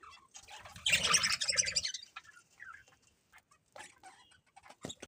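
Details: Budgerigars give a loud burst of rapid, grating chatter lasting about a second, followed by sparse, quiet chirps and clicks.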